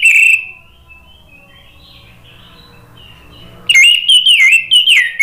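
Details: Orange-headed thrush song played as a lure to draw other birds into replying: a loud whistled note, a long quiet stretch with a faint low hum, then a run of rich, warbling phrases that rise and fall.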